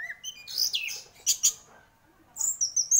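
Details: Orange-headed thrush, praised as a lively champion singer, delivering varied whistled and slurred phrases in short bursts, a dense buzzy flourish midway, then thin high sweeping notes toward the end, with quiet gaps between.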